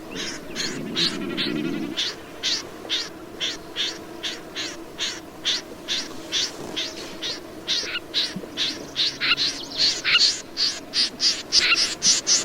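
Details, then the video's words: Snipe calling steadily for over twelve seconds: a long run of harsh, scraping notes about two per second, growing louder and slightly brighter toward the end, with a low murmur early on. "Tiếng chim Rẽ Run"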